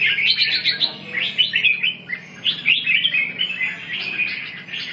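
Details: Red-whiskered bulbul heard 2/6/2012 delivering rapid, lively chattering song phrases of quick high chirps and slurred warbles, nearly continuous with brief gaps.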